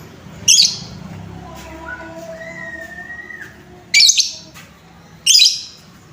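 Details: Lovebird in a lure recording meant to stir lovebirds: three loud, harsh shrieks spread across several seconds, with faint thin whistled tones from another source and a low hum in the gaps.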